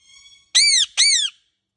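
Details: Pet Indian ringneck parakeet during molting gives two loud, harsh screeches, each about a third of a second long and bending up then down, after a faint thin tone.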